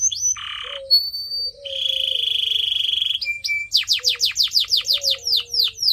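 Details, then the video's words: Pet canary song used for training: a short buzzy burst, a sustained pure whistle, a long even trill, then a quick series of steeply falling whistled notes repeated several times a second. "CANARY SINGING SOUND"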